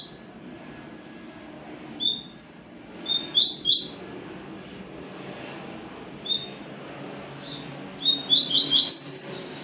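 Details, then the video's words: Scattered high chirps from a papa-capim seedeater build into a fast, tumbling run of sweet rising notes near the end, against steady broadband background noise. "papa capim"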